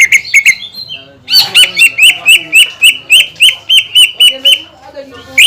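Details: Song of a greater green leafbird that keeps singing, used to provoke other leafbirds into song. A few quick chirps, a pause, then a fast steady string of bright repeated notes, about four each second.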